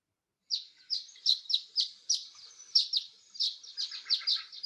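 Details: Violet-green Swallow contact calls, light high "chip" notes about three or four a second, some doubled, in a steady run of roughly fifteen; birds just migrating in, in spring (April); nothing else heard.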